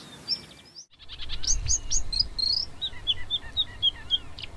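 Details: ['Marsh warbler song, a varied run of sharp chirps, short whistles and twittering notes mostly high-pitched, broken by a brief silence near one second, then rapid changing phrases over low background rumble.']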